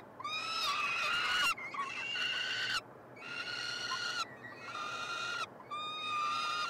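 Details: Peregrine falcon young, three siblings at a Montreal nestbox in June 2022, begging during feeding: five strident, scratchy screams of about a second each, steady and harmonic-rich, with brief pauses.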